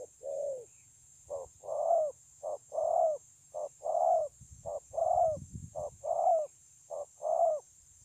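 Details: Recorded 9 June 2020 at Kon Long, a wild-caught spotted dove with an excellent voice coos steadily: short note plus longer falling coo, repeated about once a second for six phrases; a soft low rumble midway and constant high hiss.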